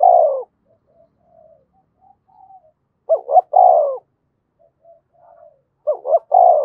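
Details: Đồng Nai Spotted dove, Vietnam, giving coos to tempt wild doves: a long falling croo, soft mumbled notes, then two phrases of quick double coo plus drawn-out croo about three seconds apart.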